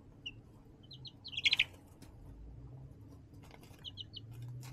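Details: Young chicks in a plastic tote brooder with hardware-cloth windows and a heat lamp, March 20, 2024; bright, high, short descending peeps, several in rapid runs with one loud burst, above a low background hum.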